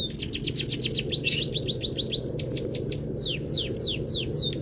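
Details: Training recording of a scaly-breasted munia singing with full canary fill: dense bursts of steep falling whistles, a brief rough buzzy note, then clipped repeated chirps and widely spaced sweeping slurs, all above a low droning hum.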